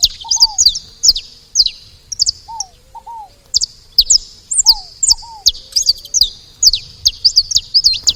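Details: Saffron finches noisy at a feeder, giving steady runs of bright, high, downslurred chirps in small clusters, with lower paired falling whistles and soft cooing behind.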